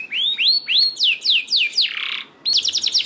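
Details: Lure song of a canary, played to make lazy canaries start singing: a few rising whistled notes, then quick falling slurs, a short harsh buzz, and a rapid high chattering trill.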